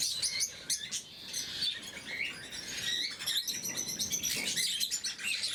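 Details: Lovebirds, blue mutation, at morning feeding time, giving shrill, overlapping chirps and clicks in rapid bursts, a busy high-pitched chorus throughout.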